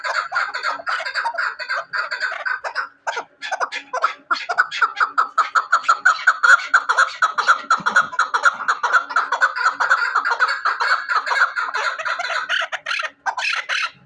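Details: Chukar partridge kept for hunting, delivering a sustained rally of harsh, pulsing chuck notes, about two per second, with a couple of brief gaps and a faint steady hum underneath.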